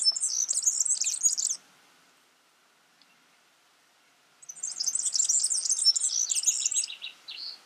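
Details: Wild yellow-fronted canary singing in two bursts: a fast, high, jumbled twitter lasting about a second and a half, nearly three seconds of quiet, then another long sparkling warble ending in slightly lower trilled notes.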